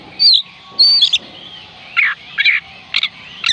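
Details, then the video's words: Oriental magpie-robin song used to coax reluctant birds into singing: short whistled and scratchy phrases, some sweeping downward, others broad harsh bursts, separated by brief pauses. "oriental magpie robin kicauan Kacer panggilan Kacer malas bunyi"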